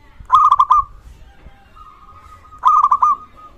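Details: Calling local zebra dove, a lure for other doves and a tonic for silent ones: two bursts of about five fast, rippling coo notes, the first followed by a soft, level drawn-out tone before the second run.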